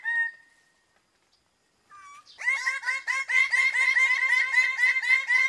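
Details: Greater bird-of-paradise (Paradisaea apoda) opens with a single drawn-out whistled note, then breaks into a loud, rapid series of harsh, ringing calls, about four per second.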